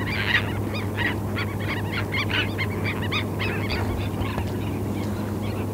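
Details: Terns gathered on a sandspit at Murrell's Inlet, South Carolina, 8 April 2017, recorded through a parabola; continuous jumble of short rasping calls from many birds, fading slightly toward the end, over low-pitched background noise.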